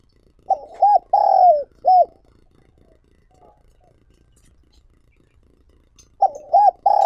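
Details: Spotted dove kept as a lure for wild doves, cooing one full phrase of short hoots, a longer falling note and a final clipped hoot, then a pause and the start of the next phrase.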